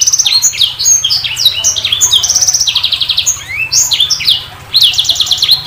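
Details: Continuous high-pitched sanger bird song mixing quick chirps, downslurred whistles and fast rattling trills, delivered almost without pause over a low steady hum.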